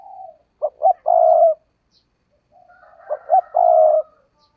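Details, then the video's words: Decoy spotted dove repeats its call twice, each time two quick short notes and a long vibrating coo, with softer lead-in coos before each phrase. "chim cu gáy mồi cây"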